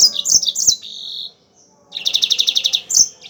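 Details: Yellow-fronted canary in lively song, used as a training recording: quick sliding chirps end in a held high note, then after a brief pause a fast, evenly pulsed buzzy trill, closing with a bright whistle.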